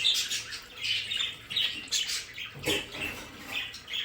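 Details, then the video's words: Budgerigars kept at home in their play area give harsh short squawks and chirps, with a brief knock or thump midway. "Sonidos de periquitos Australianos"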